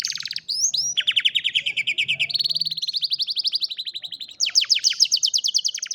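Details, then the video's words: Canary singing for training a lazy canary, cellphone recording: fast, rolling trills of repeated notes in long runs, shifting between phrases, some descending sweeps, clean and loud with little background. "Canción Canaria para Cantar Canario Perezoso Entrenamiento | Canary Singing"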